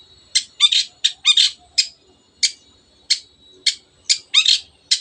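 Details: Long-tailed shrike in lively song used to stir other birds into singing: sharp, harsh, high chattering bursts, single and doubled, repeated roughly every half second with short pauses.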